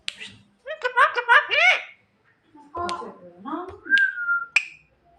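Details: At night a Javan myna calls its mate with a dense chattering burst of nasal, squeaky notes. Hoarse upslurred calls follow, then a clear falling whistle and a sharp click.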